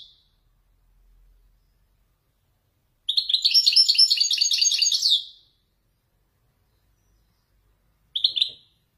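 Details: Moroccan Widani goldfinch singing traditional Marrakech nzoulat song: a brief chirp, then a long, rapid, buzzy twittering phrase of about two seconds, and a short bright burst at the end.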